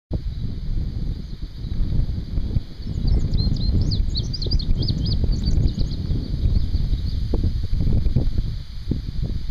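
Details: An indigo bunting at the Boardwalk Nature Trail in Maumee Bay State Park sings a quick, high phrase of paired, sweet notes lasting about four seconds, over heavy low wind and rustling.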